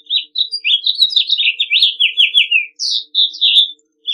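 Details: Loud, clear house finch song, a continuous string of sweet slurred and chirped notes, many sliding downward, with a second phrase starting on a high note after a short break.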